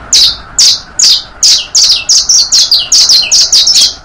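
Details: Tutoring song of a saffron finch: evenly spaced loud chirps that quicken midway into a lively run of paired high notes with short dropping tails.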